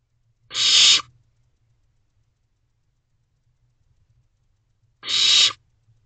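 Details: Barn owl nestling calling from its box entrance for food from its parents at night: two harsh, hissing screeches about four seconds apart, each short and noisy, with quiet between.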